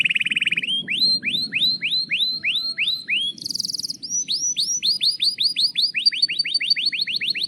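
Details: Canary song, used to coax other canaries into singing: a buzzy opening roll, then a long series of upslurred whistled chirps about four per second, a brief high buzzing trill, then faster repeated chirps.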